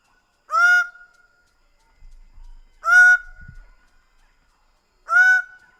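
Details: Three loud nasal honks from a Greater bird-of-paradise, evenly spaced about two and a half seconds apart, each rising sharply then holding, with a soft rustle between them.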